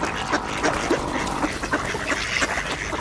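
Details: Mallards jostling for bird seed at a winter ice hole alongside Eurasian coots; clipped, repeated quacks about every half second, layered from several ducks, with constant splashing underneath.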